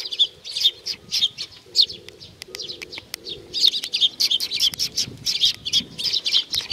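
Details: Sparrows gathering for food at Tenmangu, Nakanoshima, 7 June 2020: dense bright chirping in quick clusters, with a soft low droning hum beneath and some wing flutters.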